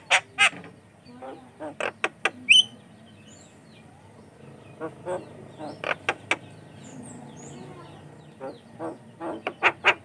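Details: Javan myna singing vigorously as a lure for other mynas: sparse sharp clicking notes, a thin rising whistle, and pauses between bursts.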